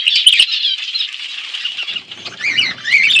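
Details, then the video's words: Several budgerigars kept in an outdoor aviary, warbling in a steady scratchy chatter, then rising and falling whistled chirps near the end. "Budgies in my outdoor aviary birds chirping sound"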